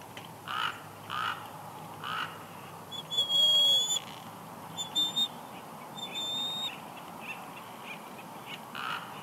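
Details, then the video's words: Female bald eagle whining softly at her nest at Big Bear Lake, California, on 6 March 2021 as the male brings a headless fish; thin, high whistled notes with harmonics, one longer drawn-out note then shorter ones, over steady background hiss. "Jackie Whines Softly As Shadow Brings Headless Fish"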